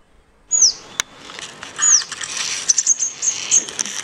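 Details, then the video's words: Birds chirping in Goa, India: thin, high, sharply falling whistles, then a run of quick high ticking chirps, with a single loud click early on. "BIRDS CHIRPING SOUND"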